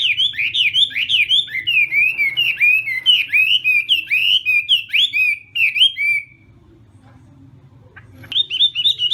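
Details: Chinese hwamei practising its contest song in the morning: a fast, dense series of loud, swooping whistles lasting six seconds, a short silence, then the singing picks up again.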